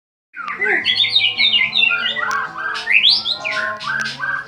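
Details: White-rumped shama, described as a champion bird, singing a lure song meant to provoke other birds to sing: a dense, fast run of varied whistled and chattering phrases, rising and falling notes tumbling together, over a faint low hum.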